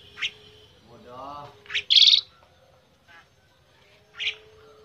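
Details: Jalak putih, the black-winged myna, held in the hand and still singing a varied song; scattered harsh squawks, a low rough buzzing phrase and one loud bright burst, separated by near-silence.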